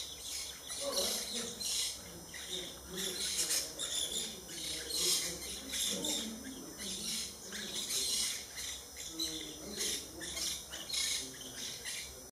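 Maroon-bellied Parakeets give harsh, scratchy chattering bursts about once a second, over a steady high insect drone and faint low murmuring.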